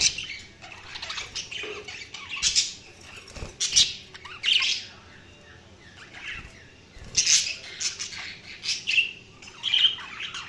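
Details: Budgerigars chirping in intermittent bursts of harsh squawks and chattering warbles, with soft gaps and faint rustling between calls.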